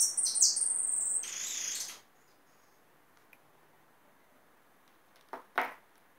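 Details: Trapped hooded siskin gives a two-second run of high, rapid twittering with buzzy slurred notes, followed by quiet and a couple of sharp knocking sounds.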